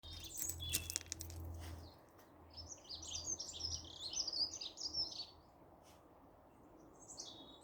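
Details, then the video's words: Wild birds singing on a spring morning; high twittering, chirping phrases clustered in short bursts, with a low hum in the background. "Beautiful birdsong heralding Spring"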